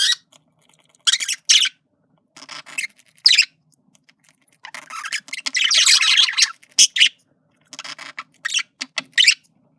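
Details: Male budgerigar flirting, giving bursts of scratchy, high chirps and squawks separated by short pauses, with a longer buzzy, noisy warble in the middle; the room is otherwise quiet.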